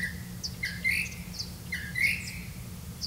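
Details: Red-vented bulbul feeding crickets to its young; two rising, slurred call phrases a second apart, each a short upward sweep followed by faint higher notes, against a low rumbling background.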